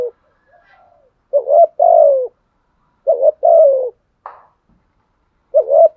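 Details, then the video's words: A spotted dove kept as a decoy to provoke wild doves gives low two-part coos, a short wavering note then a drawn-out falling coo, repeated three times with a brief higher note between. "chim cu mồi thúc gù bài bản nhất hiện nay, chim cu gáy kích bổi hiệu quả nhất hiện nay"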